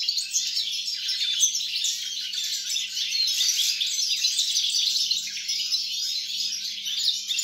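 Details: European goldfinch, 29.12.2022: a rambling, energetic song of bright chattering notes, buzzy trills and quick chirps, swelling slightly in the middle, continuous over a faint background hum.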